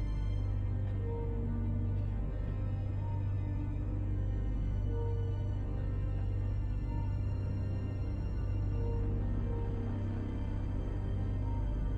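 Dark, droning ambient music with low sustained tones and faint soft melodic notes, and no animal calls.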